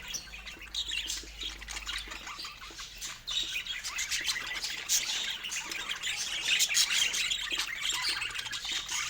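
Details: Pet budgerigars eating fruit, a dense, soft wash of overlapping high chirps and twitters from several birds, steady throughout with small rises in loudness.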